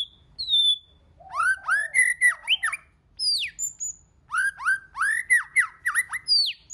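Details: White-rumped shama singing a multi-voiced song: rapid sequences of loud, ringing, swooping whistles, rising then falling, mixed with sharp high notes, in two dense bursts split by a brief pause.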